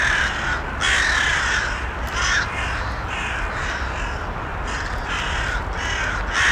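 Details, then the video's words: Raspy crow caws come in an irregular series: a loud pair early on, then quieter, overlapping caws from farther birds, with a steady broadband hiss throughout. "Ambient Sounds Of The Crows"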